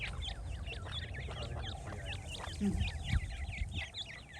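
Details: Francolin chicks peeping fast and irregularly, high hooked chirps crowding together, with a couple of soft low knocks in the second half.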